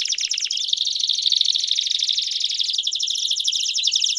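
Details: Campainha-style canary song with peeps, meant for teaching young canaries: a dense, continuous rolling trill held at one high pitch for the whole clip, slightly dipping midway.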